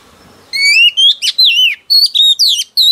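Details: Wild-caught female oriental magpie-robin singing to excite males: after a moment of quiet hiss, a steady series of loud, sweet whistled notes, each a sharp slur or glide, delivered in rapid separate phrases.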